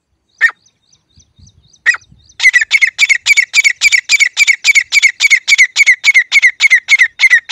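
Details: Pet grey francolin used to call wild francolins from the fields: a couple of isolated sharp notes, then a loud, fast, very regular run of identical ringing notes, about three to four per second, in a quiet setting.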